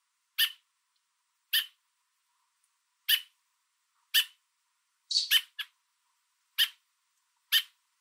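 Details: Adult American robin on a fence in Southern Ontario's Niagara area, Canada, holding food for its fledgling and calling loudly at a nearby person: eight abrupt, harsh chips spaced about a second apart, one brief quick cluster midway, no other sounds.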